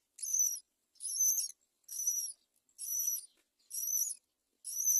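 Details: A great myna chick about to fall from the nest gives harsh, hissing, high-pitched rasps, each about half a second, repeated roughly once a second; nothing else is heard.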